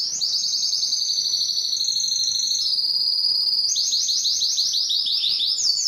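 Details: Strong, long canary song meant to attract females for mating and breeding: a steady high rolled trill holds level, then changes to a run of quick, separate descending notes near the end.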